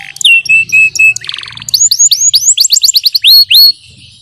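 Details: Yellow canary singing a training song: a sustained flat whistle, a short buzzy chatter, then a quickening series of rising curved whistles and long upslurs, fading into quiet at the end.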